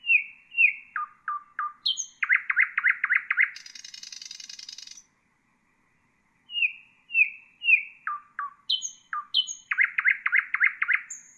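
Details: Common nightingale song, played for training bulbuls and other songbirds: varied phrases of slurred descending notes, then fast repeated pulsed trills, a harsh broad buzzy burst, a short pause, and the pattern again.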